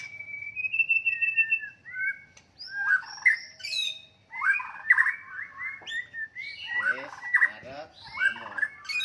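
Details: White-rumped shama battle song intended to stir rivals into aggression: a sustained whistled note opens, then dense, energetic sequences of slurred whistles and rasping trills follow.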